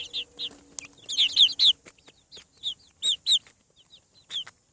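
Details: Clear high peeps from newly hatched farm chicks, bright downward-curving chirps in clusters of two to four, separated by short quiet gaps, with a faint tapping click early on.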